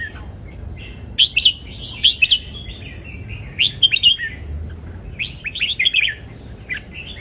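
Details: Indonesian-line red-whiskered bulbul giving a southern Thai folk-style song meant for tutoring young birds: loud, bright whistled phrases in rapid bursts of three or four notes, separated by short pauses, over a low steady background hum.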